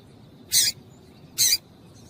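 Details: Loud, crisp pair of high chip notes, just under a second apart, from a female double-collared seedeater calling to get a male singing.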